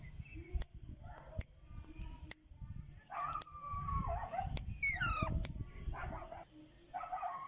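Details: Baby ringneck parrot giving a few harsh, harmonic squawks with a falling, wavering slide, over a steady high insect-like whine, sharp clicks and low rumbling background noise.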